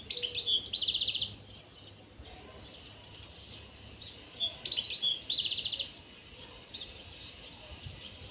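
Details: European serin pair in a cage singing two separate rapid bursts of high, buzzy, jangling notes, each about a second and a half long, with quiet between.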